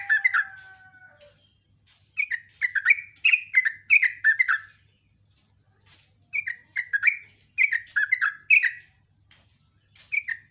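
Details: A yellow-vented bulbul sings fast 'ropel' morning song with chattering and sharp 'nembak' notes: an opening thin whistle, then several bursts of rich, rolling, gurgled phrases, each lasting about two seconds, with short silences between.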